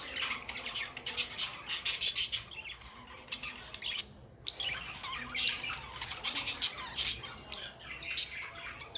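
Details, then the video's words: Pet budgies give quick high chirps and scratchy squawks in clustered bursts. A short quiet gap falls near the middle, then the busy twittering resumes. "budgie sounds"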